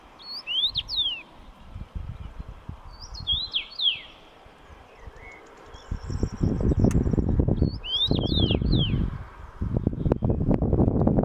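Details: Whistled slurred phrases of a common rosefinch repeated three times, partly masked by strong low wind rumble that swells in the second half.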